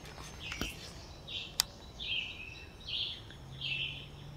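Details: Northern Cardinals trade short, bright, high notes about once a second on a morning nature-trail walk, one bird in the distance, likely just birds talking to each other rather than a mated pair; two sharp clicks and low background hum.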